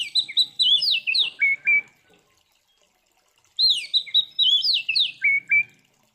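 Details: Oriental magpie-robin (Copsychus saularis), fighting song: provoking rival magpie-robins to fight.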